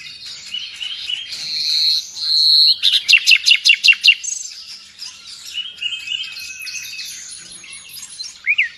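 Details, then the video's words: Energetic gacor nightingale song, valued in Indonesia as a master recording for pet birds: a sustained high whistle, then a sharp stuttering burst of about eight repeated loud notes, trailing into quieter chattering and a final upslurred note. "Nightingale song FULL gacor"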